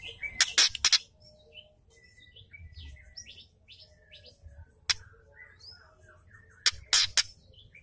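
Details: Female white-rumped shama giving its ketrekan, a harsh rattling call used to excite males and spur them to sing. Loud, short, rasping bursts come near the start, midway and at the end, with faint high chirps and twitters in between.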